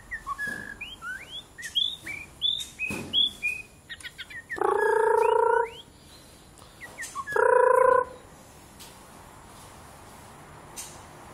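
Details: A pet white-rumped shama (Copsychus malabaricus), playing with its owner, sings quick, rising whistled notes, several a second, then two loud, steady, reedy tones about a second each.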